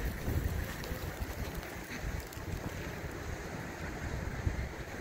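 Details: Outdoor wind buffeting the microphone with a low rushing roar and no animal calls.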